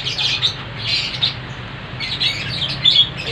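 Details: Lovebird singing in the hancur style: dense, harsh, squeaky chattering bursts, high-pitched and nearly continuous, rising in short clustered flurries, over a steady low hum.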